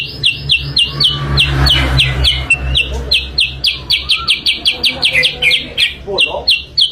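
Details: Sooty-headed bulbul lure song: a brisk, unbroken string of high, downslurred chirps, repeated several times a second throughout. Faint low rumbling and a brief lower twitter sound in the background.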